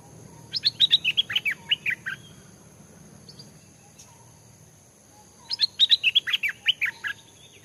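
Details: Newly caught caged Stripe-throated Bulbul, kept only a few days, hung in forest near home while being trained as a decoy bird; two bursts of rapid, bubbly, chattering notes, each lasting about one and a half seconds, separated by a quiet pause, over a faint insect hum.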